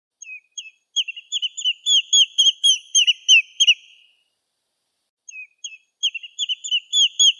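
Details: Wild common redshank recorded in Greek nature: a quick series of clear, looping whistled notes, each a short rising-and-falling yodel, delivered about four per second for three seconds, a pause, then the series starting again.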